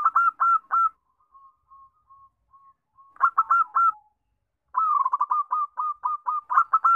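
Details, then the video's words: Lure song of a zebra dove (perkutut), used to draw other birds into song: clipped hooting notes in short rapid bursts, then a string of soft, evenly spaced faint coos, and finally a longer rapid run of staccato notes. "Pancingan Perkutut"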